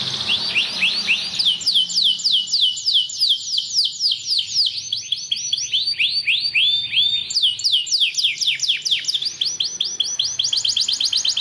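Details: Belgian canary song meant to stimulate canaries to sing: continuous high rolling trills of rapid upslurred notes, shifting between tours at a fast, steady pace, with no other sounds.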